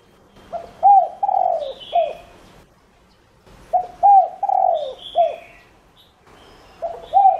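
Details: Decoy spotted dove giving its calling coo to bring in other doves: low, hoarse coo phrases repeated about every three seconds, with thin high chirps from another bird above them.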